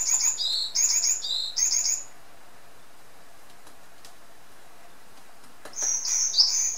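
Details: A pet varied tit gives high, bright, repeated phrases in a quick burst, falls silent for a few seconds, then starts again; the owner describes it as singing, holding its ground before a kingfisher and a red-flanked bluetail.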